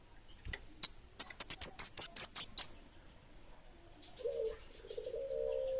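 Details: Orange-headed thrush of the 'bunga api' type singing lustily: a few spaced sharp notes build into a rapid string of high, hooked whistles. A low, drawn-out cooing sound follows after a pause.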